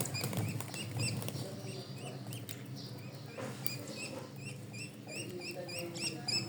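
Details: Chirping from a pet bird: brief high notes repeated fast and irregularly, about four a second in places, over a low steady background hum.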